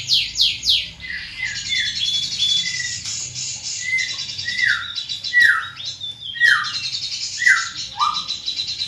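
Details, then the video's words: Big-bodied greater green leafbird with a powerful, carrying voice singing: quick falling whistles interleaved with buzzy high chatter, each slurred note dropping steeply, repeated in an irregular, lively flow. "Burung Cucak Ijo Body Besar Suara Tembus Joooos"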